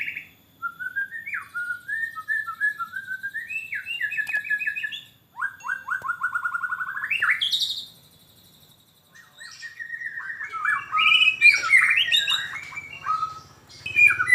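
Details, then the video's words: Young long-tailed white-rumped shama with a very loud voice, singing varied clear whistled phrases: runs of repeated rising notes, a pause, then a dense rich warbling medley. "Burung Murai Batu Ekor Panjang Suara Pedas"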